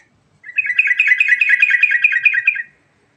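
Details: Trucukan, or sooty-headed bulbul, delivering a rapid ngerol phrase: dense chattering notes tumbling quickly for about two seconds, fairly even in pitch, loud and clear with near silence on either side.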